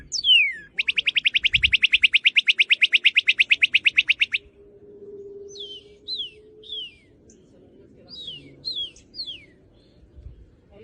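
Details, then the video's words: Cardinal opens with a steep down-slurred whistle, then a rapid, even trill for about three and a half seconds, followed by scattered short sliding whistled notes; a soft low hum in the background. "سەوتی کاردیناڵ"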